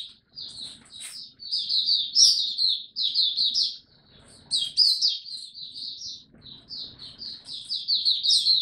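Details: White-eye, mata puteh in local usage, kept caged in Singapore and recorded 31 July 2023 as its song returns; long, rapid sequences of high, thin chirps, about two to three notes each second.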